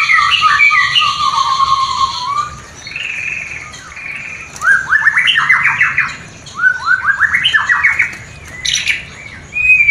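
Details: White-rumped shama from a new, not yet breeding pair giving a mating call that stimulates breeding desire: varied warbling, then two rapid rising-and-falling series of short repeated notes, ending with high sharp calls.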